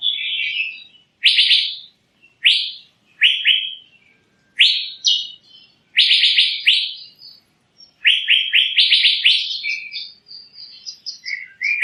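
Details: Asian fairy-bluebird song: loud upslurred whistles delivered singly and in short bursts, separated by brief silences, ending in a faster chatter of rising notes.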